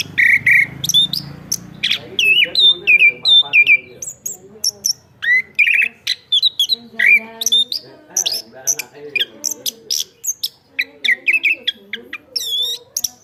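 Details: Chestnut-capped thrush singing loudly and steadily: a long, busy run of varied phrases with whistled slurs, high buzzy notes and fast chattering clicks, barely pausing between bursts.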